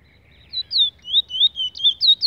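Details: Brown Trinidad bullfinch giving quick sweet whistled notes, slurred up and down and repeated several times in about two seconds, in a quiet setting.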